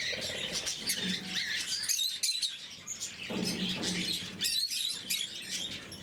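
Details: Several blue-mutation lovebirds at morning feeding give dense, overlapping high chirps and squeaky twitters, with short sharp notes repeated throughout; a low humming tone rises briefly twice underneath.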